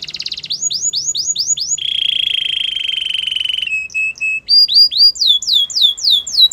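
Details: Canary song for training birds to sing: a quick trill and upslurred whistles lead into a long steady buzzing roll, then short chirps and fast rising notes.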